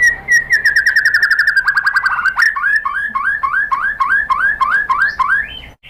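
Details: White-rumped shama song meant to provoke other shamas into singing: a descending run of rapid repeated whistled notes, then a steady series of looping upslurred notes, about three per second.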